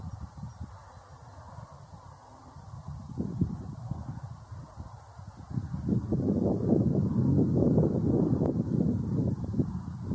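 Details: A paired-up couple of common shelducks call with low, rough notes rapidly repeated about two or three a second, growing louder in the second half over a steady background rumble.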